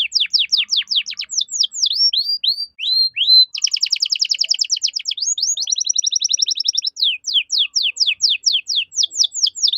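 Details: Master song from a caged canary in full gacor voice, cengkok mewah style for tutoring other birds: steep falling whistles repeated quickly, two long rattling rolls, then a steady series of rapid descending notes.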